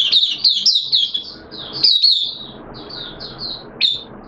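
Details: Oriental white-eye in a cage singing on 13 September 2022, second day of monthly deworming; a loud, tumbling high twitter opens, then quieter spaced chirps and one final sharp note.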